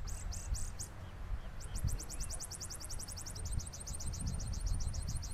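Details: Saffron finch song: four sharp, high, clipped notes, a brief pause, then a long, fast, even series of strong clicking notes that runs to the end, over a steady low rumble of background noise.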